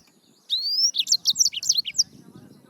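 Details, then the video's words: Yellow-fronted canary (Serinus mozambicus) song: a long rising whistle followed by a quick run of bright, high chirped notes, about a dozen within one and a half seconds. "Yellowfronted canary - Serinus Mozambicus - Beautiful Bird Chirping"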